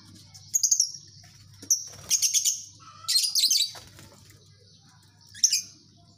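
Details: Lovebird colony chirping: short bursts of high, shrill, squeaky chatter separated by pauses, a few calls stacked together, over a faint low indoor hum.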